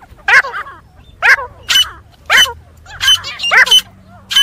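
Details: Grey francolin giving its fighting call, described as good for hunting: loud, harsh, ringing bursts, each a quick stack of rising and falling notes, repeated about every 0.7 seconds with quiet gaps between.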